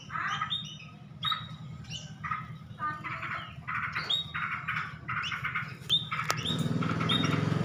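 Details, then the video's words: A tame munia calls with clipped, nasal chirps in loose series, some brighter notes between, against a constant low droning hum that swells into rustling noise near the end. "burung Pipit jinak"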